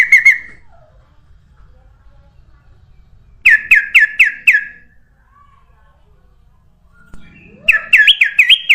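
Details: Lure song of a sooty-headed bulbul for drawing in other birds: sharp clusters of five to six rapid, rolling notes, delivered in separate bursts with quiet gaps and a faint rising slur before the last burst.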